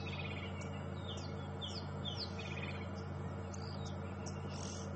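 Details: Oxpeckers overhead on an early-morning sunrise safari drive, 13 February 2015, give a rapid run of short, high, scratchy chirps, about twice a second, over a steady low vehicle engine hum.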